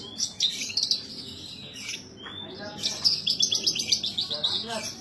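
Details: Bush lark kept as a cage bird sings high buzzy twitters, then a short rising whistle after a brief pause, followed by a rapid burst of dense, sharp chirps.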